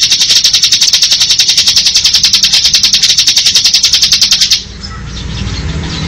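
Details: Ngebren-style song of a bar-winged prinia: a steady, very fast, high-pitched buzzing trill of even pulses held for over four seconds, then stopping abruptly into quiet background hiss.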